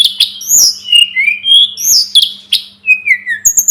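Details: Sunda robin, known locally as tledekan gunung or sulingan gunung, in a tutor recording for training birds: clear whistled notes sliding down and up, some very high, spaced by short pauses, over a faint steady low hum.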